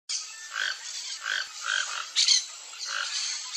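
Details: Toco toucan pair searching a riparian forest for food; hoarse, croaking notes repeated about every 0.7 seconds, five or six in a row, with a brief louder rasp midway and steady high background hiss.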